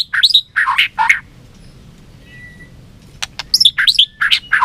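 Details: White-rumped shama in competitive singing with tail flicking: short bursts of harsh, squawky notes and whistles at the start, a quiet pause, then more scratchy chattering phrases with clicks toward the end.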